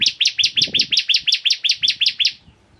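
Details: Bar-winged prinia (ciblek kristal) singing vigorously in a master recording: a brisk series of about twelve loud, high, ringing notes at a steady pace, stopping abruptly, with faint low rustling underneath.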